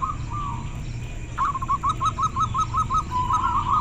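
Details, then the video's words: Local zebra dove with a very clear voice: a brief note, a pause, then a fast, evenly spaced run of short, bright notes ending in a rolling trill, over a steady low hum. "Suara perkutut lokal sangat jernih"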